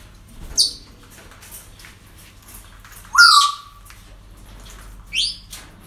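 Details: Parrots at a breeding centre on an ordinary day: three harsh squawks spaced over six seconds, the middle one loudest with a descending then level tone, the last two-part and higher, over a quiet room hum.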